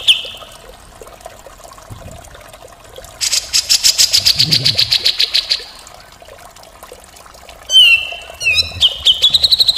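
Grey-cheeked bulbul song: a rapid, harsh rattling burst of about twenty high notes, then loud whistled phrases with quick trills; a faint low background rumble.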